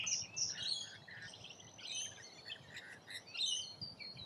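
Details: Feeding rainbow lorikeets in Australia give fainter, high-pitched twittering and short grating screeches, scattered irregularly across the recording against a soft background hiss.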